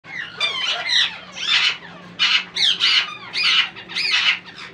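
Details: Hungry rose-ringed parakeet chicks begging for food while being fed, giving harsh, raspy squawking begging calls in rapid bursts, about one or two each second, with a faint low hum beneath.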